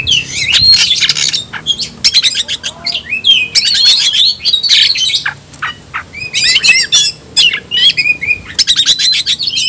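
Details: An Oriental magpie-robin, known locally as kacer, shouts to call out an opponent: bursts of rapid, jumbled whistles and buzzy trills, with a quieter stretch midway before fast chattering resumes.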